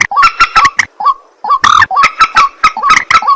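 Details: White-breasted waterhen, known locally as ruak-ruak or mandar batu, calling at night: harsh, nasal croaks with stacked overtones, given in quick bursts of three or four notes with short pauses between groups.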